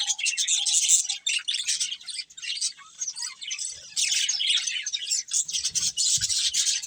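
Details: Colourful budgerigars eating and chirping in a continuous high, scratchy twitter of many overlapping voices, with faint soft taps near the end.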